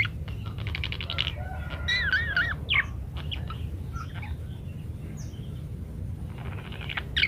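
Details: Parakeet song used as a master recording for other birds: buzzy pulsed chatter, then looping warbled whistles and scattered chirps, fading into quieter squeaks, with a constant low rumble behind.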